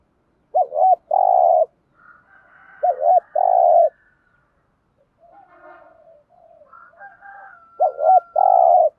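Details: Three 'thúc gù' phrases from a decoy spotted dove, for stimulating newly caught doves: each a paired hooked note and a long low buzzy coo, with faint higher calls from other birds between them.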